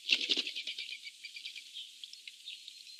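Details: Eurasian jays fighting for food, giving loud, harsh, noisy rasping bursts packed into the first second, then a fainter scratchy chatter continuing throughout.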